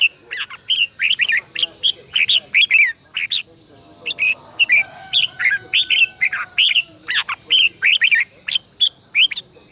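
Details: Red-whiskered bulbul competitive morning song, used as a decoy to train caged birds to sing, long twisted double-voice style: almost continuous run of short, rich, slurred whistled phrases, rising and falling, with a constant high pulsing hum behind.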